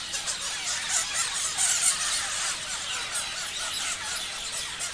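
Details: Parrots chirping together as a flock: a dense, continuous wash of overlapping high squeaky chirps and twitters, with no pauses and fairly steady loudness.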